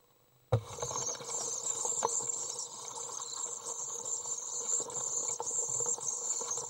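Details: 24-day-old young Common Swifts in a nest box, filmed June 23, 2012, giving a continuous shrill, wheezy, high-pitched trilling chorus while being fed, with a low steady hum and occasional clicks underneath.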